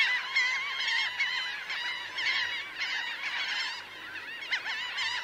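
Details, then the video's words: Laughing gulls, a large flock of about 1000 birds on the ground and in flight, calling together in a dense chorus of overlapping nasal, wavering cries with constant chatter and louder bursts throughout. "Laughing Gull. CU Calls From A Large Flock Of About 1000 Birds On Ground, In Fli"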